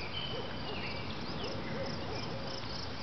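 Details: A spotted owl in a backyard, about 30 yards away after swooping in looking for food, gives a few soft, low hoots to another owl in the distance, faint beneath steady hiss and a chorus of crickets.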